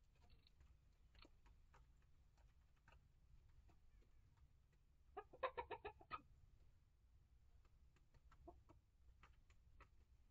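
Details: Chickens in a coop and run, a flock of year-old hens (Rhode Island Red, Barred Plymouth Rock, Light Brahma) and chicks hatched August 2023. Scattered soft clucks, then a quick burst of about seven louder clucks midway, over a low steady hum.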